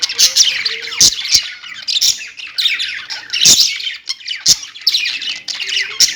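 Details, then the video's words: High, busy chirping and warbling from pet budgies, a flock-like chatter with frequent sharp clicks scattered throughout. "parakeet chirping sounds| budgie sounds"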